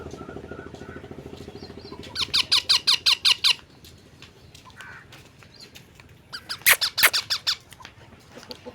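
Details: Talking pet parrot, two rapid series of loud grating squawks, each about ten notes fast and regular, separated by a quieter pause.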